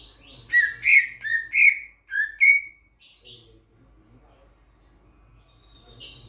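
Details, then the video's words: Grosbeak starling from Sulawesi, a loud-voiced starling, producing six rapid, bright chirps with a downward slur, then a short harsh note and a faint rasp after a pause. "BURUNG RAJA PERLING DARI SULAWESI"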